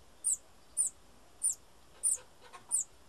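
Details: Bananaquit (Coereba flaveola) gives five thin, very high, sharp chip calls, about one every half-second, over quiet background hiss.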